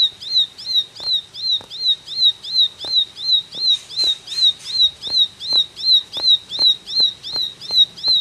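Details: Ashy tailorbird delivering lively 'tembakan' song: a long, regular run of piercing, arched chirps, close to three a second, with a brief hissy burst in the middle and faint ticking clicks.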